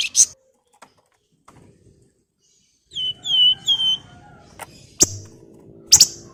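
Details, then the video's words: Javan fulvetta song used as a lure for other birds, described as sharp "nyiul nyuling" whistles. Three clear, slightly falling whistled notes sit between loud clicks and knocking noises. "FLAMBOYAN GACOR NGEPLONG NYIUL NYULING TEMBAKAN TAJAM"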